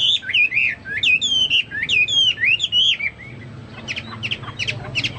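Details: Vigorous Chinese hwamei song likened to cucak Papua or cucak mas: sweeping, warbled whistled phrases for three seconds, followed by a few softer, spaced sharp notes.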